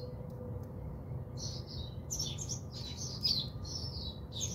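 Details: After a quiet start, bathing house sparrows in South Africa break into lively, clustered chirps that grow denser toward the end, with a low hum throughout.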